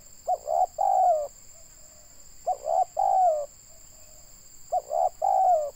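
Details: Indonesian local spotted dove kept to lure wild birds, sounding three cooing phrases roughly every two seconds, each short double note then a sustained coo dropping in pitch, soft coos in the gaps, steady high whine throughout.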